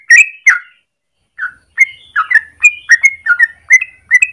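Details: Yellow-vented bulbul singing in morning, a long rapid song meant as a lure or master for training birds: two loud liquid notes, a short silence, then a lively stream of warbled whistles.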